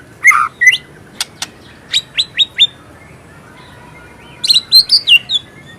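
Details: Singing white-rumped shama with mimicry fill: a few buzzy notes, a run of sharp whistled upslurs, a silent gap, then a quick cluster of high whistles.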